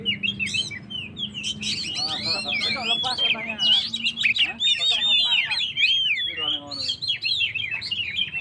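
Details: Oriental magpie-robin, kept as a cage bird, singing lively to provoke and rouse stressed birds: dense high whistled phrases with rapid slurred notes and varied chirps, a faint low hum beneath.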